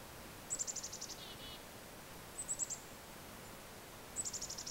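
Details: Black-capped Chickadees in falling snow in central New Hampshire: three quick bursts of thin, very high chattering notes, each run slipping slightly lower, about two seconds apart over a soft steady hush.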